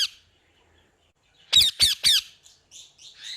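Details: Parrot giving three loud, harsh squawks in quick succession mid-clip, with softer chattering notes before and after in a quiet room.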